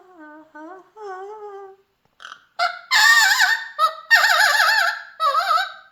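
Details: Pet Mealy Amazon parrot singing: soft low hummed tones first, then loud raspy notes with strongly wavering, vibrato-like pitch.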